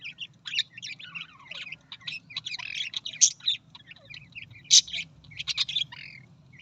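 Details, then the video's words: Australian parrot pouring out a steady, scratchy warble of high twitters, buzzes and chirps, punctuated by a few loud piercing squeaks, over a faint low hum. "Australian parrot voice"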